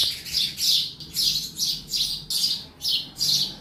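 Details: Loud indoor sparrow chirps delivered in a steady run, each note bright and slightly buzzy, about two per second, filling the short stretch.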